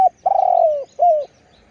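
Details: Close spotted dove coo: a long, slightly vibrating low coo easing downward, followed by a shorter slurred coo that rises then drops, all mellow and resonant.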